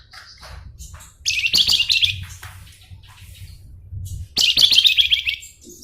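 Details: Javan tesia, known locally as flamboyan, singing in two loud bursts of rapid, buzzy, jumbled high notes, with a quiet stretch of faint scattered chips between them.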